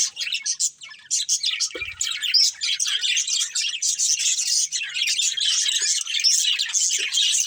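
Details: Pet budgerigars, a family group kept as cage birds, chirping continuously: dense overlapping high twittering and warbling chatter with quick squeaky notes, steady throughout with brief dips, a soft low thump near the second mark.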